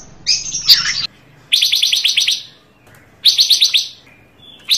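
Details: Lively Panca Warna bird, its song rich in variations and used as a master recording and trapping lure: a loud buzzy phrase, then two rapid series of sharp, high, evenly repeated chattering notes separated by a pause.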